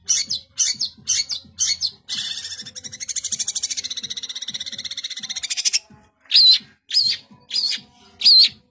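A long-tailed shrike sings harsh, scratchy bursts, then a fast rattling trill lasting about three seconds, ending with four high, squeaky whistles roughly a second apart.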